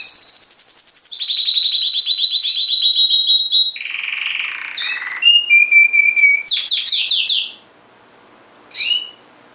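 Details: Canary in full song: a rapid buzzy trill of fast-repeated notes for nearly four seconds, a harsh noisy passage, then clipped whistled phrases and a brief final chirp after a pause.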